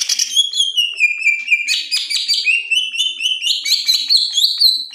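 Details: Leafbird (cucak ijo) in loud, open ngeplong gacor style, suited for tutoring young birds: a continuous ringing whistled song, sliding down then climbing again in bright, harmonic-rich notes with no other sounds.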